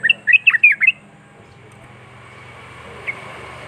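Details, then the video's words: Yellow-vented bulbul giving a quick burst of five or six chirpy, slurred whistled notes, then near silence with one faint note later, over a low background hum. "Trucuk Macet Coba Putar Suara Trucuk Ini Pasti Trucukmu Nyaut Gacor"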